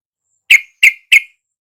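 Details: Yellow-vented bulbul lure sound meant to make a reluctant caged bird sing back: three loud, sharp, identical chip notes spaced about a third of a second apart, with silence around them.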